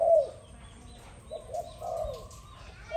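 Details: Morning dove call: a few brief, low coos separated by pauses, quiet and even in pitch, over faint background hiss.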